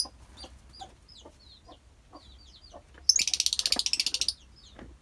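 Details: Lovebirds kept as a colony: soft scattered high chirps, then a loud rapid burst of about a dozen shrill pulses lasting just over a second, followed by more faint chirping.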